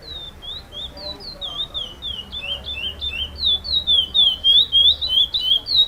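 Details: Chestnut-bellied seed finch (curió), first-place bird in a song competition, 5th FEBRAPS stage, singing in the repetition style: a rapid chain of clear whistled slurred notes, some rising, some falling, growing louder toward the end.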